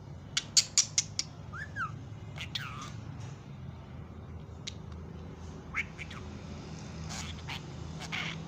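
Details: Happy pet budgerigars chattering: rapid sharp clicks, a few short falling and rising whistles, and scratchy, broadband chirps spread irregularly across the clip, with a low room hum beneath.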